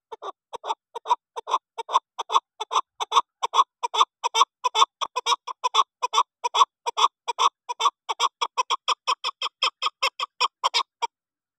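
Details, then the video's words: Female chukar partridge kept as a hunting bird calls in a fast run of clipped clucks, roughly two and a half per second, steady and unbroken, with a quiet background. "Female chakor"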